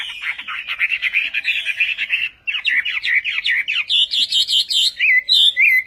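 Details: Chinese hwamei in the Vietnamese Họa mi Tây singing style: a fast, steady run of short, bright whistled notes, about three a second. After a brief pause the notes climb higher and end in looping, wavering whistles.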